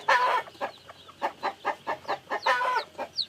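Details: A chicken gives harsh, broad clucks in a steady rhythm of roughly three per second, with two louder, longer squawking notes near the start and middle. Faint high chick peeps are heard between them.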